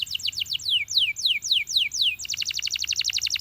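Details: Belgian canary inviting other canaries to sing: slow, deliberate downward-swooping whistles about four per second, then a switch to a quicker, punchy repeated trill.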